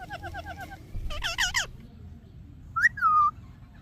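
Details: Talking parrot said to say "mummy papa". Opens with a row of short chirps. Then come several loud harmonic, voice-like syllables in quick succession, followed by a clear whistled note that rises sharply and then slides down.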